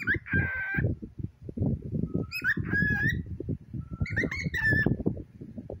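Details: Cockatiel kept as a pet talks to a toy pig: a flat, ringing screech opens, followed by bursts of slurred, up-and-down whistled chirps over continuous low voice-like murmuring.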